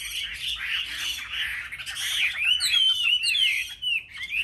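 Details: Chinese hwamei singing competitively on a market rack: a muffled chorus of overlapping notes gives way to crisp, sweeping whistles and sharp chirps.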